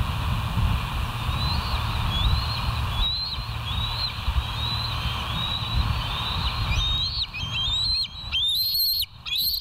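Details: Bald eagle at West End, filmed on a nature live cam on 13 September 2023: a run of faint, thin, high chittering notes that grows louder and sharper near the end, over a steady low rumbling hum.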